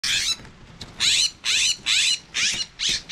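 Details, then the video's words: Two California scrub-jay nestlings in a nest in San Mateo, CA, on May 23, 2021 give harsh, raspy begging bursts in quick succession, each about a third of a second long, coming roughly twice a second. "Baby Scrub Jays in nest"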